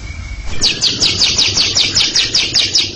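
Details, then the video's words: Greater green leafbird (cucak ijo) giving its long ngekek chatter in front of a younger bird: a fast series of bright, buzzy descending notes repeated about five times a second after a thin steady whistle, with low background hum. "Cucak Ijo ngekek panjang siap ngeroll didepan junior macet"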